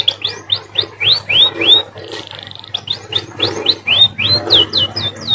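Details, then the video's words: A munia (emprit) sings a canary-like song of quick, high arched whistles, each rising then dropping, about three a second, broken midway by a brief buzzy trill over a low background hum. "emprit bird sounds like a canary"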